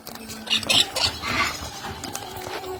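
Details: Baby monk parakeets begging for food, giving harsh, raspy bursts of calls in quick succession, with soft background music and a faint hum.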